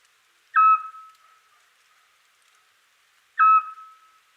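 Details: Single Eurasian scops owl on a spring night in Europe, calling to hold its territory and attract a mate: two plain, level whistles nearly three seconds apart, slightly melancholy, over a very quiet background.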